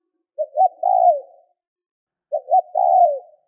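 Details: Two phrases from a spotted dove, a call used to encourage other doves to call: each opens with two short coos and ends in a long, slightly rough note that drops in pitch. Quiet background.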